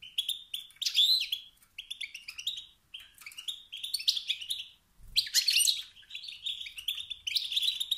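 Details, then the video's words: Male wild European goldfinch giving excited 'sts-sts' and 'bt-bt' calls that stir rival males to assert dominance by singing. Twittering runs almost continuously, with jangling, buzzy notes, one brief pause, and a low thud midway. "ستستات و بتبتات ذكر الحسون الخلوي التي توقد النار في الذكور الاخرى"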